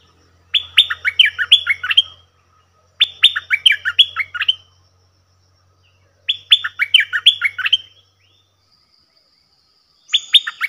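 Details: Cream-vented bulbul (Pycnonotus simplex) song recorded 18 June 2021: bubbly, chattering bursts of quick downslurred notes, each about a second and a half long with short pauses between, over a faint low hum.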